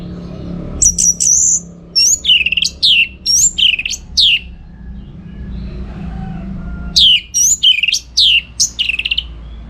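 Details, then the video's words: Orange-headed thrush in full, chattering song, used as a tutor recording to train contest birds: bursts of sharp, high whistled and slurred notes in quick clusters, a pause, then another rapid run of falling, ringing phrases. "Masteran ANIS MERAH Gacor"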